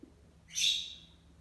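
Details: A pet monk parakeet (Quaker parrot) named Luna, indoors at home after destroying a window blind, gives a single harsh, high, grating squawk lasting about half a second.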